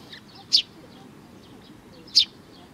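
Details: Sparrows at a Tenmangu shrine, recorded 22 May 2019, give two sharp, high chirps about one and a half seconds apart over faint background hiss.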